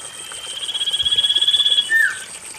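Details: Common iora whistle used to prompt reluctant birds into singing: one drawn-out, pulsing high note held for over a second, then a quick falling slur, over a soft background hiss.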